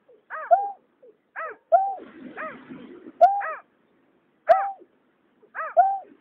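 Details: Water rail male and female calling, 2021: harsh stacked notes and flat nasal slides repeated every second or so, with a low murmuring rumble between calls for about a second.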